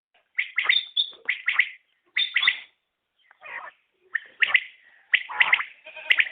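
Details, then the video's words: Common quail calling: bursts of sharp, clipped notes in quick groups of two or three, with some brief thin high whistles and a short pause mid-sequence. "Batair Ki Awaz | Common Quail Calling| Naye Batair Ki Awaz|New Recording Common Quail| Batair sounds"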